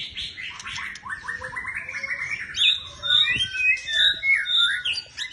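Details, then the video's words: White-rumped shama, murai batu, in full song: a fast rolling series of chattering notes rising in pitch, then loud varied whistles and sweeping phrases with rich, complex warbling. "Murai batu Gacor polll"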